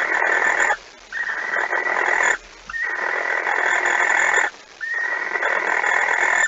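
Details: At a barn owl nest in the early morning of 26 August 2019, as the night's second mouse arrives: a series of four harsh, drawn-out hissing calls, each lasting one to two seconds, one following closely on the next.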